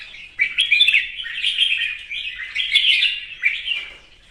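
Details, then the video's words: Red-whiskered bulbul singing in the morning, competition-style song: a continuous run of bright, warbled, chattering phrases, rising and falling, with brief pauses between bursts. "Hót sáng hót đấu"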